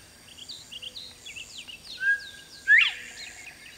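A Northern Bobwhite whistles its clear 'bob-white', a level note followed by a loud, sharply rising one. Thin chirps of other small birds come from the background.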